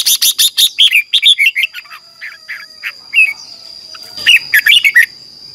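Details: Red-whiskered bulbul morning song used to train a wild-caught bird: a long run of rapid chattering notes, then slower spaced chirps and a final quick warbled phrase, with a thin continuous high tone.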